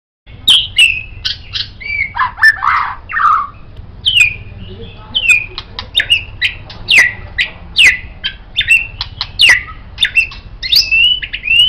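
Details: White-rumped shama song suited as a tutor recording for songbirds: rich whistled phrases mixed with harsh squawky notes and sharp clicks, short bursts coming in quick succession with brief pauses between them.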